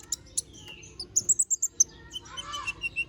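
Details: Little spiderhunter (kolibri ninja) singing sharply: a few scattered high notes, then a tight run of six piercing, even chips, followed by lower, softer twittering notes.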